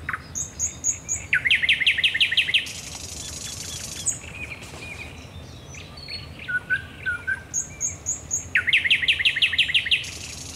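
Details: A thrush nightingale sings at night at the Raszyn Ponds, 10 May 2021. Strophes open with rapid, loud, hammering repeated notes, move into a harsh rattle, and return to the chopping repetitions after a softer, quieter interlude.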